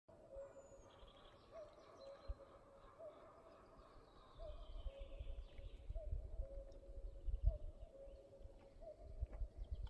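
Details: A common cuckoo in a forest repeats its low, falling two-note 'cu-coo' about every second and a half, over rumbling wind and faint calls of other birds.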